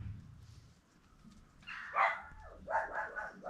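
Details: Peafowl on a peacock farm give loud, harsh, honking calls in short bursts, first a single outburst, then a quick run of three or four, over a quiet background.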